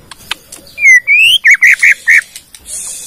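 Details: Bornean white-rumped shama song meant to coax other shamas into singing. Two long rising whistles lead into a series of about six short, even whistled notes, with faint high hiss behind.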